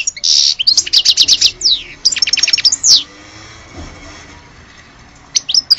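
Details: European goldfinch of Algerian type giving a quick run of sharp repeated notes and a buzzy trill, then near-silence broken by a couple of final chirps.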